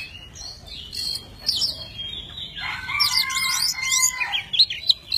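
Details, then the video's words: Tame Oriental magpie-robin singing and displaying with wings spread and tail fanned. Quiet sparse notes give way to a burst of steep high whistles over long, level, pure whistled tones. "Chim chích chòe than thuần, hót múa cực hay"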